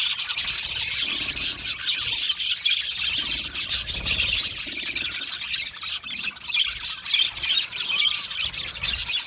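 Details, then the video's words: Colony of budgies chirping, a sound described as made when content and comfortable; many birds overlap in a steady wash of bright, high chirps and warbling chatter, with occasional soft low bumps underneath. "Australian Budgie singing sounds | Australian Budgie chirping sounds"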